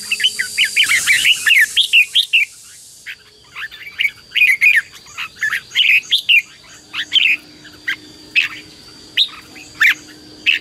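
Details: Red-whiskered bulbul singing to provoke a decoy bird and draw wild birds: a dense rapid chatter of chirps at first, then repeated short whistled phrases spaced about a second apart, faint steady tone underneath.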